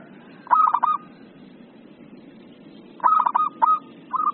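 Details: Zebra dove in an agitated, 'emosi' singing mood gives two bursts of fast, bubbly staccato coos, each ending in a brief level note. They come about two and a half seconds apart over a constant low hum.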